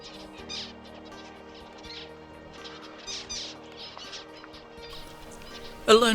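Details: A wild male zebra finch practicing his song within a large flock in the drylands of NSW and Queensland, Australia, June 2021: short, buzzy, nasal bursts spaced about a second apart, over soft background music and a narrating voice.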